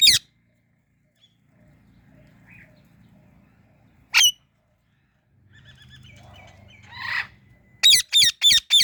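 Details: Indian ringneck parrot chirps: an isolated sharp note, a softer rasp, then a fast run of four harsh chirps at the end over faint low background noise.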